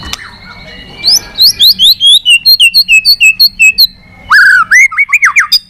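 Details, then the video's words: White-rumped shama, long-voiced competitive song: a sharp click, then a regular run of about fifteen bright descending whistled notes, a short break, and a lower, richer burst of warbled whistles. "kích Chòe Lửa hót đấu căng lửa.chòe Lửa hót giọng dài"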